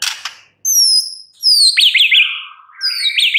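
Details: Loud, bright song of a white-rumped shama: high thin whistles followed by sharp rapidly repeated zigzag notes and a lower sliding phrase.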